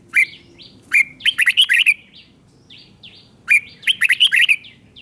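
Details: Red-whiskered bulbul song for teaching young birds: a sharp note or two, then a rapid bubbling run of bright warbled notes, the whole phrase given twice with a short gap.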